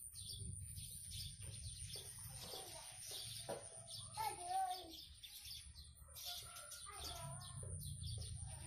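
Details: Blue-crowned hanging parrot in full, chatty song: rapid, thin, high chirps repeated in quick runs, over a steady low hum, a constant high electronic whine and faint voices.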